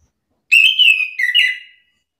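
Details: One loud whistled phrase from an agitated chestnut-capped thrush answering another's song, wavering and sliding down, then rising briefly before fading over about a second.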